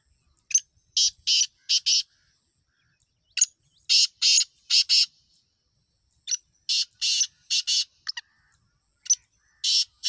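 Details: Black francolin (kala teetar), a desi bird, giving loud harsh grating notes in short bursts of two to four, with quiet gaps between the groups.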